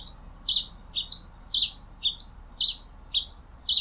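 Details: Pileated finch song of crisp, high downslurred chirps in pairs, delivered at an even pace about twice a second, loud and clean with little background noise.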